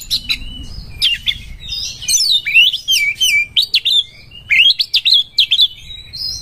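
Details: Oriental magpie-robin song while seeking a rival to fight: loud looping whistles sweeping up and down, given in quick clusters with short gaps, low hum beneath.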